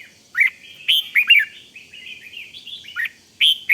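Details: {'caption': 'Red-whiskered bulbul from Thailand singing the rik style meant to excite fellow bulbuls: sharp whistled chirps open and close a run of continuous, wavering warbled notes, all quick and bright.'}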